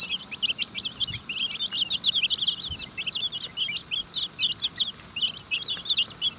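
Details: Chicken chicks eating food offered by hand in an outdoor run; many sharp, high peeps tumble over one another in quick bursts, loud and steady, with soft hiss behind.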